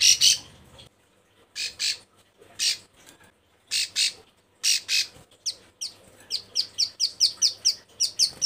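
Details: Bar-winged prinia female in breeding condition, calling males. Spaced rasping bursts repeat about once a second, then give way to fast, twittering chirps that speed into a rapid series.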